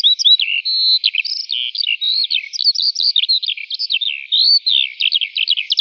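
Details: A Eurasian skylark sings in the morning, rising high into the sky. Only males sing. It pours out an unbroken, high, rapid warble of chirps, trills and slurred whistles, with no pauses and no other sounds.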